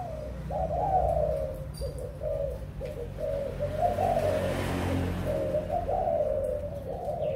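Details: Spotted dove, a breeding bird, recorded on 6 December 2021: mid-pitched hoarse coos in phrases of two or three notes. The phrases repeat almost without a break over a steady low rumble.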